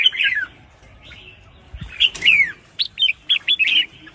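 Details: Female red-whiskered bulbul kept in a cage, calling to spur males to sing: a slurred descending chirp, a quiet gap, then a string of short sharp notes repeated in quick succession.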